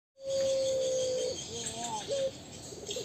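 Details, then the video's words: Pelung-type Barbary dove gives a long, level, hollow coo held over a second, then softer wavering notes and a brief clipped coo, over a steady hiss. "suara Burung Puter pelung"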